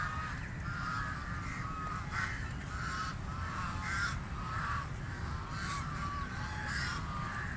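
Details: Call duck quacking while feeding in water, giving a rapid series of harsh nasal quacks roughly every half second, over constant splashing and water noise.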